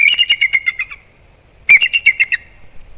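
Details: Wild bald eagles at their Captiva/Sanibel Island, Florida nest on a December 2021 morning, calling in alarm at something right of the nest after a night intruder: two bursts of rapid, high piping chitters, each sliding slightly downward over about a second.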